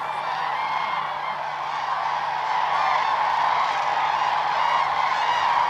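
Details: Spring crane gathering at Hornborgasjön, Sweden, April 2009, where common cranes perform their dance: a thick, ceaseless chorus of bugling calls from a large flock, growing slightly louder toward the end.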